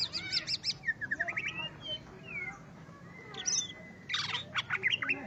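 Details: Greater green leafbird singing against a rival bird: fast repeated high notes, then slurred whistles and rising and falling sweeps, with a dense burst of harsh chattering near the end.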